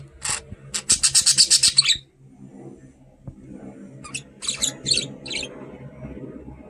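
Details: Pet budgie, curious about a camera, utters a fast run of about ten sharp repeated chirps, then a quieter pause and a few more scratchy chirps.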